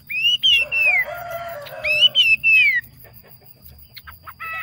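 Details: Yellow phua bird used as a decoy, singing well: two bursts of pure whistled notes, each sliding down in pitch, backed by softer lower tones, then near silence with a few faint chips.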